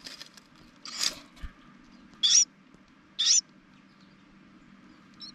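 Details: Carolina wren at a family's nest built on top of a propane tank in spring; three harsh, raspy bursts roughly a second apart over a low steady hum.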